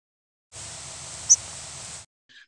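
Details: A Myrtle (Yellow-rumped) Warbler flight call of migrating birds: one tiny, very high, finely sibilant upsweep, whistled rather than buzzy, against steady hiss.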